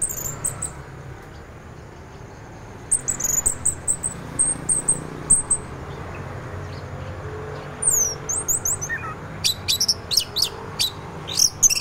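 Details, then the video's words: Orange-headed thrush singing in teler style, a morning recording meant to stimulate other orange-headed thrushes into song: bursts of high, thin whistled and slurred notes, sparse at first, then faster sharp clipped phrases near the end over a low rumble. "anis merah teler, pancingan anis merah lain untuk merangsang bunyi dipagi hari"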